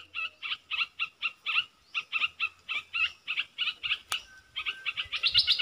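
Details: Wild southern bulbul answering a caged lure bird: a fast, steady series of short doubled chirping notes, roughly three per second, with a faint low hum underneath.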